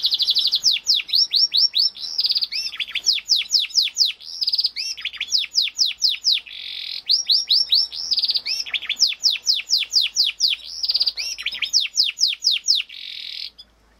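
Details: Female canaries, described as Yorkshire canaries and identified as Belgian canary, fighting at a nest give rapid, high, sweeping chirps in dense repeated bursts.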